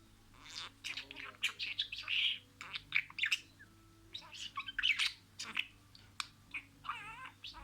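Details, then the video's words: Budgerigar talking, copying words: soft chattering bursts of chirps and harsh syllables with short pauses, plus a wavering warbled phrase near the end and a faint background hum. "MUHABBETKUŞU SESİ,MUHABBETKUŞU KONUŞMA SESİ"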